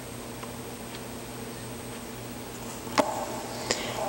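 A quiet indoor room with a steady low hum, a faint high whine, and two sharp clicks or taps near the end.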